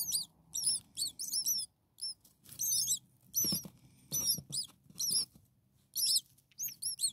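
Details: Six hungry common starling nestlings a few days old begging in their nest: a busy chorus of high, sharp, arched squeaks in rapid overlapping bursts, with light rustling underneath.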